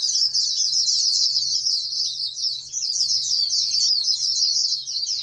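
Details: Oriental white-eye from a breeding operation producing national champion hopefuls gives a continuous, shrill, quickly modulated warble that slides slightly lower near the end; a faint low hum in the background.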